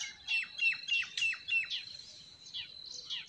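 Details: Forest bird singing close by in spring: a clear series of bright, sharp chirps, each sliding steeply downward, about three per second, then softer and more scattered notes trailing off.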